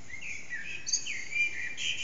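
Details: Eurasian blackbird singing in an echoing backyard around 4:30am, recorded on an HTC Desire phone, bird unseen: smooth fluty whistles gliding near the low-middle range, with brief thin high notes over a steady background hiss.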